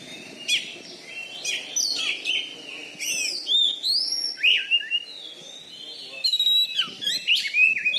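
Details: Champion caged Oriental magpie-robin (kacer) from Bengkulu with a loud voice, singing a continuous medley of whistled slurs, chirps and short trills.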